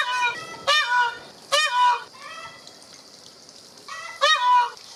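A peacock gives loud, nasal, honking calls in three strong bursts with a quick up-and-down bend, and softer calls between them.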